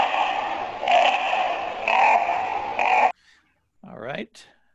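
Common Raven giving loud, harsh, drawn-out croaks, three in a row about a second apart, followed by a person's voice speaking briefly.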